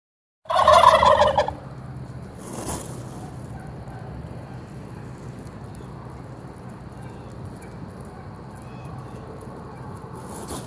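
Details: Among wild turkeys strutting through a parking lot in Traverse City, Michigan, one lets out one loud, rapid, rattling gobble about a second long, followed by quiet rustling.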